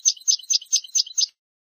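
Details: European goldfinch song from a tutoring recording for teaching young birds to sing: six quick, bright twittering phrases repeated about every quarter second, high-pitched and evenly spaced, then silence.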